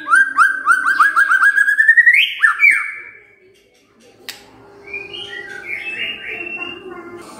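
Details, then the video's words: White-rumped shama singing in the morning, used as a lure to make quiet shamas sing: a quick series of rising whistled notes climbing in pitch for about three seconds, then near silence with faint, softer warbling phrases. "Pancingan PAGI-PAGI AGAR MURAI GACOR❗ murai diam pasti ikut NYAUT❗❗"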